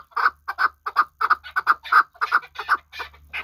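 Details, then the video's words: Hunting chukar partridge from Kabodiyon calling in quick, uneven bursts of harsh chuk notes, some paired, the last few rising higher and rougher, over a low background hum. "Кабки Кабодиён шикори"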